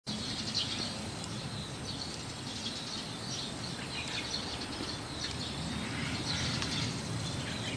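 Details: A White-cheeked starling on a rooftop calls softly to a neighbouring starling, giving soft, scratchy high chirps in loose scattered bursts over a steady low rumble of outdoor noise.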